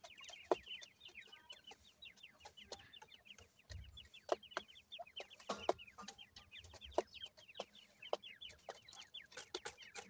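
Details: Many captive grey francolin chicks from a gora teetar male and dakhni teetar female pairing keep up a busy chorus of brief, high, falling peeps throughout, with scattered clicks and rustling.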